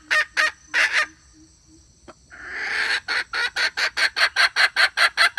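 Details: Hen calling, a recording described as good for use as a lure in trapping: a few loud harsh cackling notes, a pause, then a fast even run of sharp clucks at about two and a half per second.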